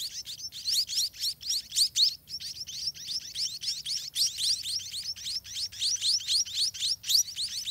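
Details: Spotted munia young at a soiled nest beg greedily, giving fast, high, upswept chirps in an unbroken series, roughly four per second, with their loudness rising and falling.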